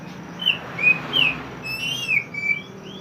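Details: Pied triller (mantenan) giving clear whistled song for songbird training: separate slurred notes rising and falling, spaced unevenly about every half second, over a soft hum.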